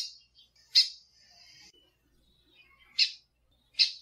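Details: Sharp chipping calls of a female lined seedeater, meant for stimulating caged birds: three loud bursting notes spread over four seconds, a thin high sustained tone running after the first.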